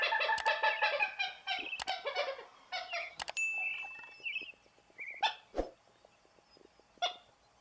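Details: Common gallinule (Gallinula galeata) in Brazil gives a fast, harsh, clucking chatter of nasal notes for about three seconds, followed by sharp knocks and a few thin whistles.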